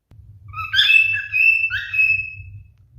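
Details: Male cockatiel showing mating behaviour sings a whistled phrase: a low note, a strong sustained whistle, then lower warbled notes and a final long whistle, over a steady low hum.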